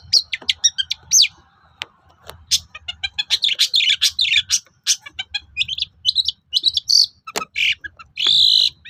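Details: Long-tailed shrike singing to provoke rival shrikes to answer, a dense run of harsh chatter, rapid clicks and squeaky whistles, ending in longer nasal buzzy notes, faint low hum beneath.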